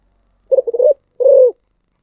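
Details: Spotted dove giving thổ sấm style song: a stuttered run of several quick low coos, then a single sustained coo falling slightly, with silence around.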